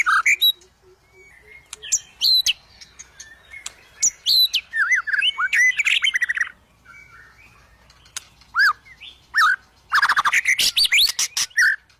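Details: Emotional white-rumped shama (murai batu) singing hard against a rival: varied whistles, upslurred notes and hard clicks, a brief quieter gap, then a dense burst of fast trilled and chattering phrases.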